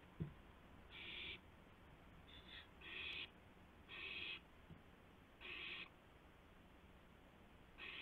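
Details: At 2:51 AM on April 2, 2016, one owl delivers a gopher to another. A sharp knock opens a series of about six rasping hiss bursts, some short and doubled, at irregular spacing.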